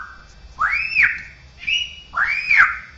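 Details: Straw-headed bulbul singing a tutored song said to mimic other birds, cats and humans: three loud, clear whistled notes, each arching up and then falling, spaced about a second apart, with faint room hum beneath.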